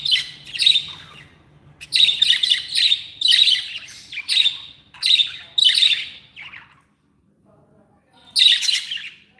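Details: Happy pet budgerigars chattering in a run of loud, harsh squawky chirps, several in quick succession, then a pause before one more burst.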